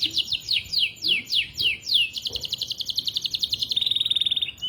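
A canary sings a rapid run of bright, descending whistled notes, then a fast buzzy trill on one high pitch, with faint background noise.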